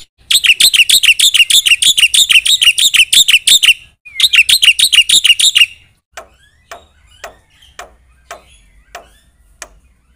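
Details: Black-winged myna singing hard to stir other birds: nearly four seconds of dense, shrill, rapidly repeated notes, a pause, a second burst, then soft, sparse clicking ticks.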